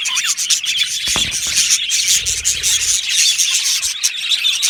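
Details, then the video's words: A flock of budgerigars in an aviary chirps and twitters, making a thick layer of high, buzzy chatter. One rising whistled note stands out at the start. "Budgie parrot chirping sounds"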